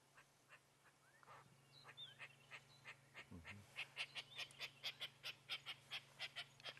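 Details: Lilac-breasted roller (Coracias caudatus) making a loud series of harsh, rasping notes that quicken and grow louder near European bee-eaters on a December sunrise drive, as the wind dies down; engine hum and faint chirps.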